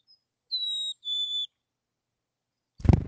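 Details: Chickadee whistling at its wild nest cavity near Emigrant, Montana, June 2022: two steady pure notes, high then slightly lower, followed by a loud low thump or knock.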